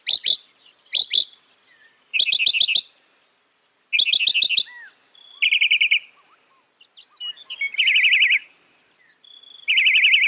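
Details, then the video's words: Northern mockingbird song in varied phrases: two sharp notes, then buzzy rattling trills, a rapid warbling trill, and more rattles, each phrase given as a separate burst. "Masteran Burung Kicau Mockingbird Gacor - Mockingbird Bird Sound"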